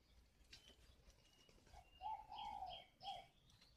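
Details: Spotted dove, an old wild-caught decoy bird kept at a bird garden in Ba Vì, Hanoi, Vietnam, gives a soft three-part coo: a short note, a long wavering middle note, then a brief closing note. Faint chirps from other birds sound above it.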